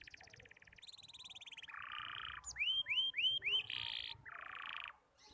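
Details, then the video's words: Juvenile canary practising its song, phrases still choppy: buzzy rapid trills shifting in pitch, a few bright upswept whistles repeated about four times, then more dense buzzing rolls before stopping. "Burung Kenari Muda Belajar Bunyi || Kenari paud Belajar Berkicau"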